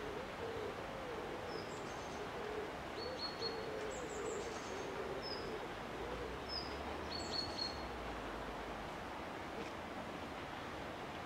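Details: Eurasian collared dove gives soft, low, hollow cooing notes in a repeated rhythmic series, faint under steady outdoor background noise, with thin high whistles from other small birds.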